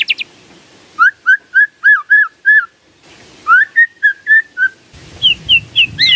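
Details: White-rumped shama song used as a lure to make a silent shama answer: a run of clear whistled, slightly rising notes repeated about four times a second, a pause, a second run, then higher thin notes over a soft hum.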